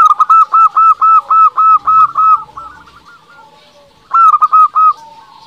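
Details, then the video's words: Lure song of a local Zebra Dove meant to provoke rival doves into replying: a long, even string of about ten rounded coos, a soft warbling pause, then a fresh three-note burst. "Perkutut lokal gacor paling ampuh untuk pancingan belum satu menit bikin lawan sudah pada nyaut"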